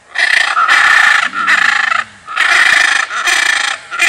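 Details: Blue macaw giving loud, harsh, grating squawks in long bursts, several nearly back to back with short gaps, each rasping and buzzy with a strong nasal tone; faint lower sounds underneath during a pause.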